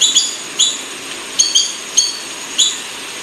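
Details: Buff-banded rail, recorded in Sulawesi, gives short, thin, squeaky notes, about six in three seconds at an uneven pace, high-pitched over a faint background hiss.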